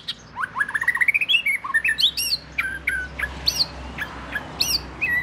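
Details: Oriental magpie-robin (binla in the south of Thailand), the household's first bird: loud, rich song that opens with a quick string of rising whistles, then varied slurred and sweeping notes with short pauses.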